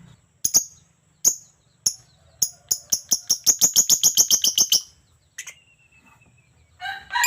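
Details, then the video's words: Very vocal (gacor) lovebird: a few spaced, shrill chirps speed up into a fast, loud series of piercing notes, about three or four per second, then stop, followed by a thin whistle and a harsh burst. "burung Lovebird super gacor abis"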